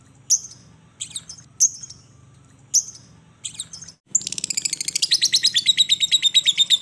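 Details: Lovebird switching from 'ngetik' to long 'ngekek', used as a lure for a silent lovebird: isolated sharp high chirps about once a second, then a sudden fast, continuous rattle of shrill notes several per second.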